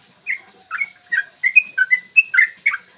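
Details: A yellow-vented bulbul's fighting song, used in the morning to goad other bulbuls into singing: around ten short, liquid whistled notes, each bending up or down, coming faster and louder partway through.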